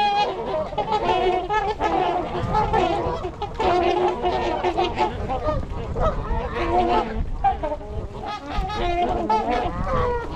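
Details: Trumpeter swans on 8 January 2022 at Gallup Park, Ann Arbor, Michigan, 42 birds (26 adults, 16 juveniles) filmed with a GoPro: a chorus of brassy, horn-like honks, rising and falling in bursts, from a crowded flock.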